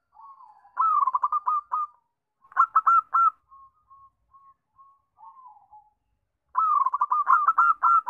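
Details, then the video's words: Zebra dove song played as a lure to make other doves sing: bursts of mellow cooing with quick staccato stuttered notes, separated by soft, evenly spaced single coos and a short silent gap. "Pancingan Perkutut JITU 5 Detik Langsung Bunyi"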